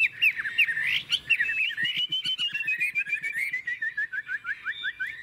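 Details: Chinese hwamei kept in a cage in Tuyên Quang, Vietnam, singing in a wild-type voice: bright, looping whistles running into a rapid series of short, sharp notes, about one and a half per second, that speed up.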